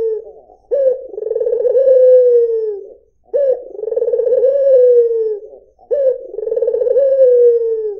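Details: [['Clear, melodious cooing of a white Barbary dove: pulsed, rolling phrases that each fade into a long, gently falling note. Three phrases follow each other closely.']]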